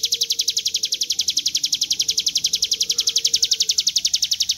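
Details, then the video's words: Hill Prinia (ciblek gunung) in an extended 'ngebren' trill recorded for song training: an even, rapid string of piercing high notes, roughly nine per second, continuing without a break over a quiet background. "Ciblek gunung ngebren panjang"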